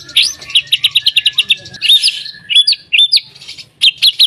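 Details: White-rumped shama, a caged songbird, delivering a song meant to set other shamas singing: a quick series of sharp repeated chip-like notes, then spaced loud rising whistles with short pauses between phrases.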